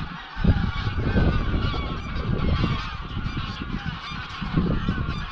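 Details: A flock of 200-300 greylag geese at dusk on Anglesey, leaving their grazing field for the evening flight to the roost lake Llyn Maelog near Llanfaelog. Many harsh, overlapping honks run continuously over strong, rumbling wind noise.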